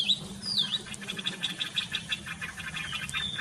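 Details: Bird singing in the morning: a few clear whistled, swooping notes open, followed by rapid repeated chirps about two per second, over a steady low hum.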